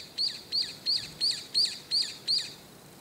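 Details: A Brown-eared Bulbul calling early in the morning, around 6 am, from atop an antenna, gives seven short, high, squeaky notes, about one every third of a second, with faint background hiss.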